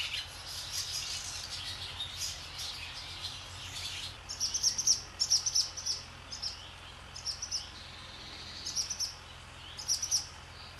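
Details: Barn swallows skimming across the sky above a swallow farm; after a quiet start, short high chirps come in quick bursts, clustered and repeated every second or two, over a steady low hum.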